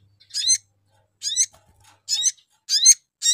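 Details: Sogon calling to lure other birds of its kind: short, harsh, downward-sweeping chirps with a buzzy edge, repeated about every 0.6 to 0.8 seconds.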